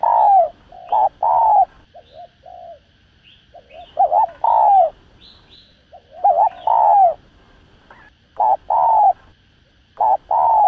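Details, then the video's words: Spotted dove giving soft, husky, mid-pitched coos in short two- and three-note phrases, repeated every second or two, used as a lure call, with faint high chirps from another bird. "Tiếng Chim Cu Gáy Thúc Gù"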